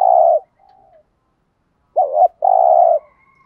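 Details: ['Thúc gù cooing from a spotted dove, played to stir wild doves: a loud coo, a faint soft note, then after a pause a short two-part note and a long, steady coo.']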